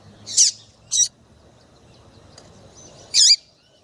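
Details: Chirping female double-collared seedeater, used to stir males to sing, gives three loud, high, clipped chirps, the last ending in a down-curling tail, separated by pauses of about half a second and two seconds in quiet surroundings.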